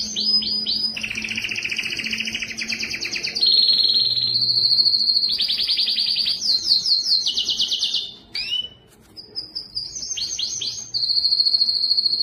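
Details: Canary singing to stimulate other males, females and young birds: fast rolling trills alternating with buzzy rattles and pure whistled notes, phrases changing every second or two, a brief pause near the end before a high whistle and trill resume.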